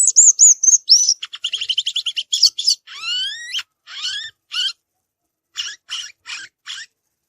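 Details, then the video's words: A violaceous euphonia in the wild sings high looping whistles, then buzzy chattering phrases, long rising slurred whistles, and finally spaced, harsh, descending notes. "Gaturamo verdadeiro cantando na natureza"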